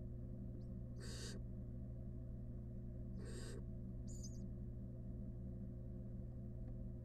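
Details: Wild barn owl at the nest with a rat: two loud hissing rasps two seconds apart, then a brief high twittering chirp, all over a steady low hum.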